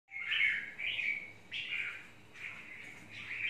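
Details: Red-whiskered bulbul, called chào mào mộc, singing short warbled phrases around the middle pitches. Each phrase has a slight rise and fall, with four bursts spread over a few seconds. There is a faint low hum behind it.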